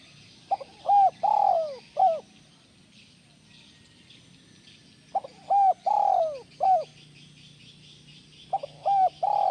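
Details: Spotted dove calling, used to set off other doves: three phrases of clipped lead-in notes, a long drawn downward coo and a short closing note, repeated roughly every three and a half seconds over quiet background noise.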